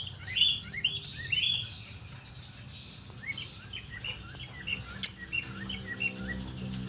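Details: Cockatiel from Australia producing a dense run of short, high chirps and quick descending chips that repeat in a busy chatter, with one sharp click near the end over faint low background noise.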